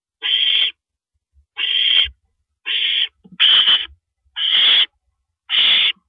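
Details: Night-time owl recording from 1:27 AM, April 9, 2012, as a female eats a rabbit: six rasping, breathy screeches, each about half a second, spaced roughly a second apart, with a faint thud in between.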